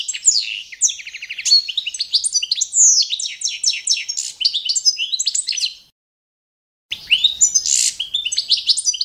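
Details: European goldfinch of the Balkan subspecies Carduelis carduelis balcanica, standard competition song for training birds: continuous rapid twittering with buzzy trills and quick repeated chirps, a one-second pause, then more twittering.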